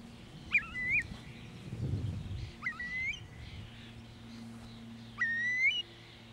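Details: A Eurasian curlew gives a communication call: three clear, rising whistles about two seconds apart, each sliding upward and ending on a ringing note, over a low background hum.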